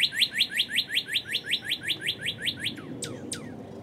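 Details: Northern cardinal early-morning song in March 2011, ending with a thunderstorm: a fast run of about sixteen clear upslurred notes, then two long down-slurred whistles, over a steady hiss of rain.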